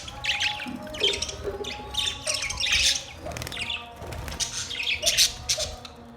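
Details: Budgerigars chirping: bursts of buzzy, scratchy warbles and squawks high in pitch, irregular and overlapping, with brief quieter gaps between phrases.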